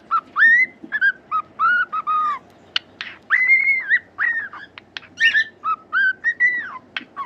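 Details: Cockatiel singing a lively run of whistled notes, some short and choppy, others long and arching, with brief clicks and a rough burst between phrases.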